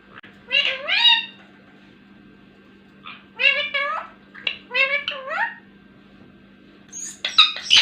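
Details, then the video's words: Green Indian ringneck parakeet talking indoors: four short bursts of speech-like mimicry with harmonic, voice-like syllables, spaced by pauses of one to two seconds, ending in a sharper high chirp; steady low hum in background. "talking parrot | miyan mithu | ringneck parrot"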